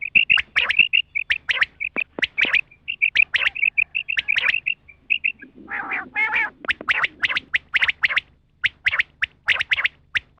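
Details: Female rain quail call used for hunting: short, sharp tonal notes repeated rapidly in runs, with a brief harsher, lower burst midway and clicking pulses throughout.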